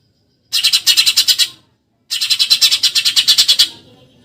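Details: Harsh rapid chatter of a Eurasian tree sparrow, the 'tembakan nyerecet' style used to tutor contest songbirds. Two dense bursts of about a dozen and twenty scratchy notes fired in quick succession, with a gap between.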